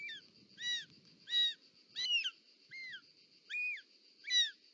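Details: At the nest in Parc Natural dels Ports, Catalonia, on 18 July 2024, with the mother bringing a snake, a short-toed snake eagle gives seven ringing, downcurved whistles, slightly irregular in spacing, plus a brief scuffling sound midway and low hum.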